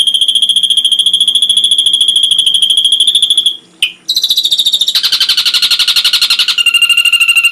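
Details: Ashy drongo tutor recording with complete phrases for songbirds: a steady, rapid high trill, a brief break with one sharp note, then harsh buzzy pulses and a lower trill.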